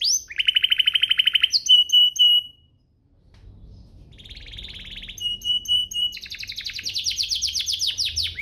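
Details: Canary song played to prompt other canaries into singing: a rapid rattling trill and a steady whistle, a brief gap, then a buzzy trill, a flat whistle and a dense high rattling roll.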